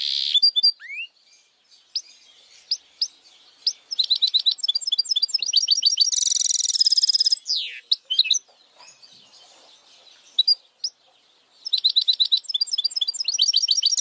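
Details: A goldfinch mule sings a fast, bright run of high twittering notes, trills and buzzy phrases, recorded as song for training birds.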